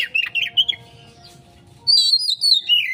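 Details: Oriental magpie-robin (kacer) in a 'konslet' lure recording meant to prompt fast responses: loud whistled, warbling phrases that swing up and down, a pause, then a higher, slurred whistled run. Faint low hum underneath.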